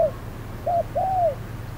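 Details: Spotted dove used as a decoy bird during trapping on a hot midday, giving soft low coos: a short note, then a longer drawn-out arched coo, with a faint low hum underneath.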